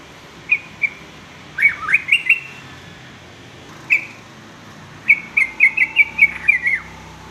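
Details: Sooty-headed bulbul song, kept to teach young males varied singing: scattered short chirps, a rising-falling bubbly phrase, a single note, then a longer chattering burst of about eight quick, slurred notes.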